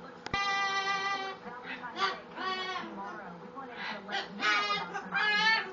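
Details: Pet umbrella cockatoo singing and dancing to his own beat: a run of tonal, harmonic-rich vocal notes, some long and steady, others short and wavering, rising and falling in bursts over about six seconds, with a sharp click near the start.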